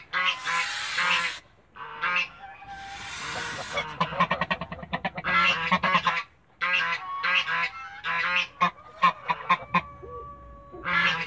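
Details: A gander protecting his family in a backyard gives harsh hissing blasts, then fast runs of staccato nasal honks. The honks stutter in quick succession with uneven pauses between volleys.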